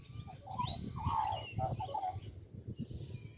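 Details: Australian magpie perched in a tree in Kings Park, Perth, Western Australia, giving rich, fluty warbled phrases that bend up and down through the middle second or so, with low rumbling background noise throughout.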